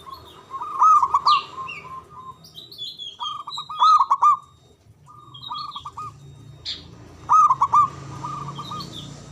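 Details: Local Javanese zebra dove with a big, loud, long-breathed voice, used as a lure to prompt silent or lazy doves to sing. Bursts of rapid staccato cooing with a short trilled flourish recur roughly every three seconds, with faint chirps between.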